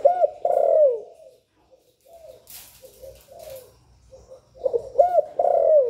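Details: Spotted dove giving its calling, urging and cooing phrases to stimulate other doves: a loud coo phrase opens and closes the clip, with soft low coos and brief rustling between.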